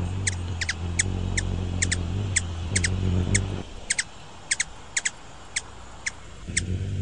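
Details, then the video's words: Ruby-throated hummingbird, Archilochus colubris: a long run of sharp, high chip notes, often doubled, ticking steadily on. A low hum fills the first half, then fades to near quiet. "Ruby throated hummingbird | call / song, wing sounds"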